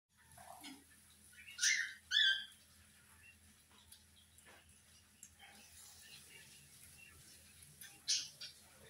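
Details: Cockatiels squabble for hours over sitting on a fan, giving a few harsh, screechy squawks over a steady mechanical hum.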